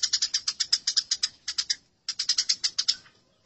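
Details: Agitated chatter of fighting Eurasian tree sparrows: two long runs of quick, sharp, repeated chirps split by a clean gap near the middle.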